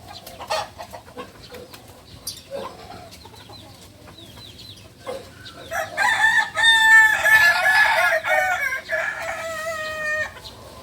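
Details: A novice Balenggek rooster, a native chicken of Solok, West Sumatra, crows loudly after quiet clucks and clicks. The crow is a long, multi-step call of clear tonal syllables lasting about four seconds and fading out at the end.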